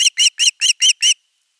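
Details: Osprey at nest 3 calling for fish on 10 August 2021. Six clear, shrill whistled notes come in quick even rhythm, then stop.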